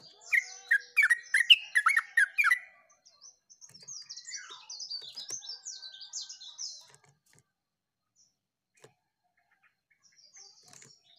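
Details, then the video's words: Recorded 29/08/24, a yellow-vented bulbul sings its chattery "uglak uglik" phrase: a bright cluster of liquid, bubbling notes for about two and a half seconds, then faint high twitters from other birds and long quiet. "uglak uglik Terucukan bocor"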